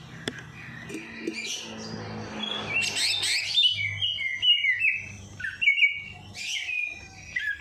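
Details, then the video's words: Bird song for stimulating a lazy bird after a night bath: hissy, scratchy start giving way to clear whistled phrases and sharp slurred notes, with gaps and a faint low hum. "Perangsang Burung Malas Bunyi || Habis Mandi Malam Langsung Cor Dor"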